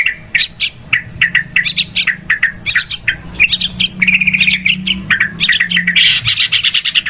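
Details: Yellow-vented bulbul lure calls for bird trapping: sharp, chirpy notes in irregular clusters, some stretched into buzzy rattling phrases near the middle and end, busy and insistent throughout, with a faint low hum beneath.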